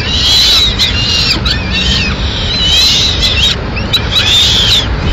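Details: At a Madrid nest, a female peregrine falcon delivers a pigeon, 6 May 2016; drawn-out, slightly rising wailing calls recur in bursts, with clicks and low background hum beneath.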